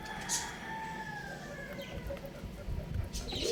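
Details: Young rooster playing on a roof: a drawn-out harmonic call that slides slowly downward over about two seconds, with a few short high chirps and light background noise.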